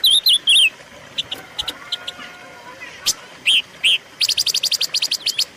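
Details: Silver-eared mesia song, used as a lure and training recording for caged birds: wavy, slurred whistled notes with a bright upper harmonic, sharp clicking chips, then a fast run of even, repeated chip notes near the end.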